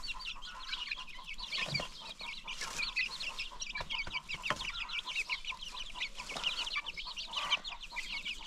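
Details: Newly hatched chicks kept free range with adult chickens on a farm give rapid, high, downward-slurred peeps in a near-constant flock chorus, broken by a few soft thumps.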